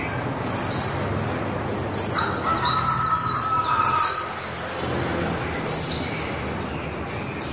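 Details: Líu song of a female white-eye: bright, high-pitched descending whistles repeated about every second or two, with a brief lower warbled phrase in the middle and a soft hum beneath.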